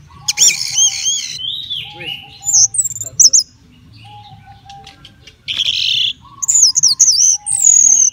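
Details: Caged orange-headed thrush being readied for a songbird contest: varied loud song of clear whistled and slurred phrases, bursts high and fast, with quiet pauses, a low steady hum and faint voices in the background.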